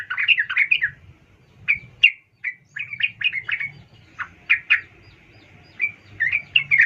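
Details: Female sooty-headed bulbul, locally trucuk, calling the male as a lure for singing birds; a string of short, slurred chirps, some clustered, some spaced about half a second apart, with a soft low rumble beneath.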